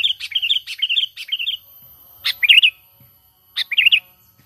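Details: Natural sooty-headed bulbul call, used as a trapping lure. It opens with a rapid run of bright chirping notes, then two rich bubbly warbled phrases about a second apart, with no background noise.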